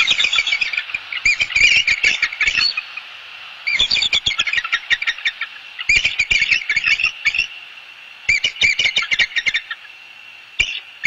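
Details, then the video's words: Two bald eagles of a pair at a southwest Florida nest calling together: bursts of rapid, high, squeaky chattering notes, each burst lasting one to two seconds, separated by short pauses, repeated through the recording. "sing beautifully together - SW Florida Bald Eagles"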